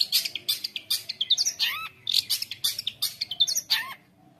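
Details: Long-tailed shrike in 'gacor konslet' training song for young shrikes: harsh scratchy bursts mixed with slurred whistles that swoop downward, delivered fast for four seconds before stopping.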